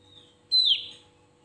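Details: Javan grey-throated white-eye singing to provoke rivals: a soft high whistle, then one bright, forceful note dropping steeply in pitch and trailing off, with low hum beneath.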